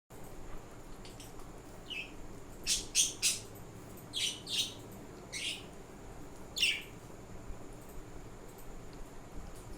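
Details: Budgerigars: a male feeding his female partner while she cares for their baby budgies. Short, scratchy chirps come in irregular bursts over a soft background hiss.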